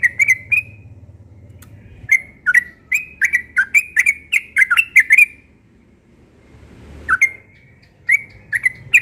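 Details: A yellow-vented bulbul sings in the morning: clustered bubbly whistled phrases, a quiet gap, then further chattering notes, over a low steady hum.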